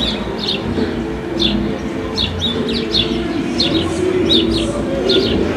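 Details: City-dwelling house sparrows in Paramirim squares give clipped, bright chirps in loose bursts, roughly one or two per second, over a low background drone.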